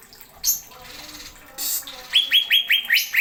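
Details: Cucak ijo, the greater green leafbird, singing sharp filler phrases: after scratchy rustling noises, a quick series of clear, rising, whistled notes repeated several times per second.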